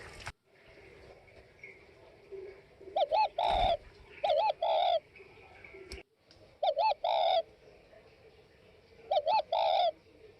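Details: Spotted dove of the Tây Bắc (Northwest) type cooing: four phrases of short and drawn-out hollow coos, each rising then falling, spaced a few seconds apart over a steady low hum, with a sharp click near six seconds.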